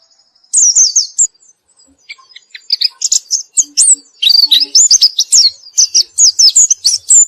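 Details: Rapid, high, jumbled twittering from a white-eye, starting with a brief phrase, a short pause, then a long run of sharp down-slurred and up-flicked notes tumbling over each other without a break.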